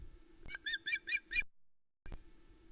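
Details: Osprey chick Vera (JJ8), last of three on the Loch Arkaig nest, 1 September 2020, squawks over a huge trout her father brought: five quick, shrill, slightly buzzy chirps within a second, then silence before another note; low background hum.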